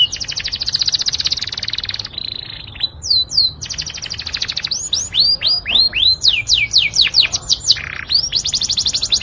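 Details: Melodious Yorkshire canary song mixing rapid buzzing rattles with runs of sharp descending whistled notes, a brief pause, then another rattling trill; a single bird sings loudly and close.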